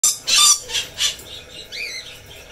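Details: Red lory, a parrot species, giving three loud harsh screeches in quick succession, then a softer whistled note that rises and falls near the end.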